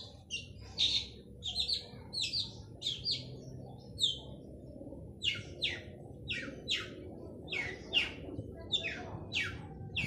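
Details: Male long-tailed shrike in full, lively song, used to lure silent shrikes into singing: a steady series of harsh, scratchy high notes, one every half-second or so, with a low background rumble.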